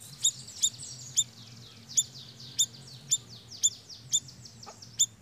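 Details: Siri-siri song as a bird lure: sharp, ringing chirps roughly every half second, about nine notes, over a constant high hissing buzz and a faint low hum.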